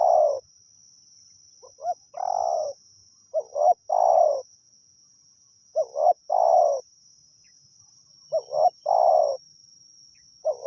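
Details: Wild spotted dove calling steadily during a decoy-luring session in Thailand. It gives soft cooing phrases of two short notes and a drawn-out falling coo, about every two and a half seconds, over a constant high-pitched whine.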